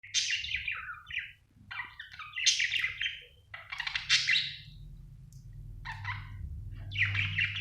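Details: Budgerigar chirping indoors: bursts of scratchy, warbling chirps and squeaky notes in short phrases separated by brief pauses, over a low steady hum in the background.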